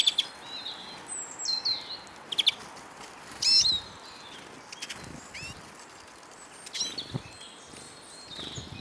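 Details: Hungry Eurasian siskins (Carduelis spinus) at a bird table in Kolmården, Sweden, recorded from beneath the feeder. Thin, upward-sliding calls and high twitters mix with loud clicking and knocking from birds landing and feeding.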